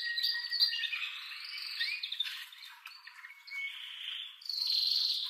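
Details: Male canary in excited breeding song meant to stimulate mating. The passage is quieter and broken, with scratchy mixed notes, a short steady whistle, and a bright buzzy trill at the end.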